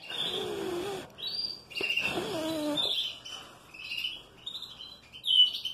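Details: Canary song in a breeding room, recorded while a hen is being treated: loud rolling trills and whistled phrases alternate with short pauses, the phrases changing pitch, with lower murmuring sounds beneath.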